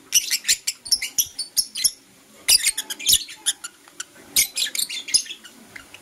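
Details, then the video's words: Lovebirds, blue opaline and parblue euwing opaline, chirping in the morning: rapid, continuous strings of shrill, high-pitched chirps, busy chattering with brief pauses between bursts. "Lovebird Chirping Sounds"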